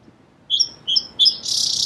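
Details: Song sparrow song: three clear, high whistled notes spaced about a third of a second apart, then a dense, hissy buzz that runs to the end.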